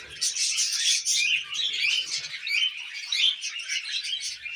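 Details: Several tame pet budgerigars eating millet chatter nonstop, a dense mix of scratchy warbles, chirps and brief whistles, with a faint low hum beneath.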